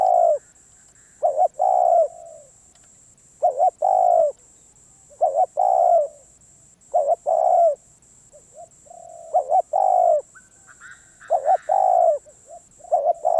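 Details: A wild-caught spotted dove regaining its calling form repeats its coo phrase seven times, each a brisk double note leading into a longer mellow coo, spaced about two seconds apart; a faint steady electronic whine runs throughout.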